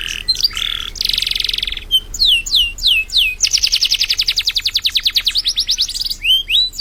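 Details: Master song from an energetic 'gacor' canary for training birds: a short buzzy trill, three down-slurred whistles, then a long fast rolling trill of evenly repeated notes, ending on rising whistles.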